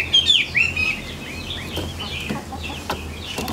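Chinese hwamei giving loud, clear whistled phrases with sweeping rising and falling notes, strongest at the start, then softer warbling fragments and a few sharp clicks.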